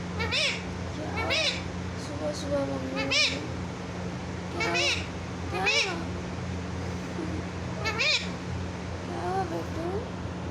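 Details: Parrot talking in a clear voice, repeating "mummy mummy" as short, wavering, arched syllables every one to two seconds over a steady low electrical hum.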